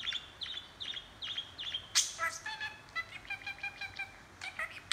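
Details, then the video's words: Chattering budgerigar, held camera: a string of evenly spaced short chirps, a harsh squawk, then a stacked, buzzy warbling phrase with clicks. "Budgie talking & chattering"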